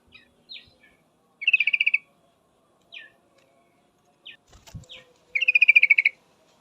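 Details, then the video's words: Female yellow-vented bulbul calling a male, with two fast bursts of bright chattering notes, about eight and then eleven, separated by scattered short chips and a brief knock. "suara trucukan betina full memanggil jantan pasti langsung pada nyaut"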